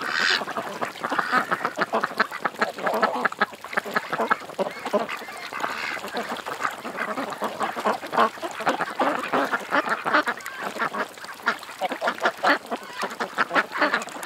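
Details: Ducks at a creek, a flock calling together in a dense, continuous chorus of harsh, nasal quacks that overlap with no pauses throughout.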